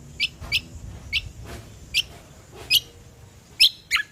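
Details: Ruby-throated bulbul, called cucak kombo, recorded as a lure for other birds: single high, clipped chirps repeated roughly once a second, ending with two slightly fuller, lower-sliding notes against quiet low rumble.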